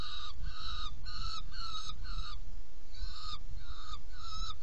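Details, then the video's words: Saker falcon at a nest box during feeding, 17 June 2018 at 10:31: harsh, nasal, scraping notes given in a regular series of about eight, each roughly half a second long, over a steady low rumble. "Kerecsen fészekdoboz 2018.06.17. 10:31 etetés"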